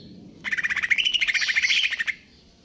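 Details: Greater green leafbird singing konslet kejer nembak: one continuous fast rattling trill of buzzy pulses, rising slightly in pitch and lasting under two seconds.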